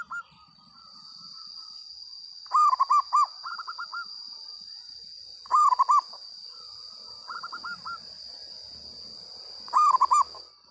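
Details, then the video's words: Local-strain zebra dove singing loudly and actively: three bursts of rapid, rolling staccato coos, each a quick series of rising-falling notes, with softer trilled phrases between them, over a steady high-pitched whine running the whole time. "perkutut lokal gacor suara lantang"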